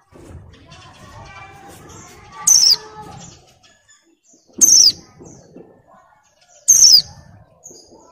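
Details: Female Oriental white-eye in breeding condition and moulting, calling males; kept for use as a lure to set males singing. Three brief, sharp, very high notes sliding downward, spaced about two seconds apart, over a faint low background murmur.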